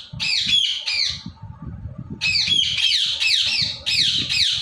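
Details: Indian ringneck parrot, a pet, screeching in loud, shrill, harsh squawks: two quick ones, a short pause, then a continuous string of repeated screeches, against low rumbling indoor background sounds.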